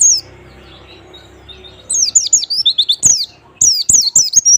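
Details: White-eye song played as a lure to get reluctant pet white-eyes singing: high, thin whistled notes sliding downward, a lone note at the start, then two rapid bursts of repeated descending slurs with faint clicks.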